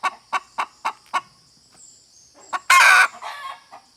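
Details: Five short clucks from a hen, a pause, then one loud, harsh squawk followed by softer trailing notes.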